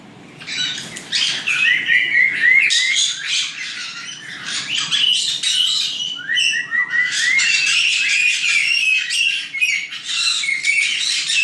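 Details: Young white-bellied caiques in an aviary near Dallas, Texas, nine birds calling together: bursts of rapid squeaky chirps and rising whistled notes, broken by short pauses, busy and fast-paced.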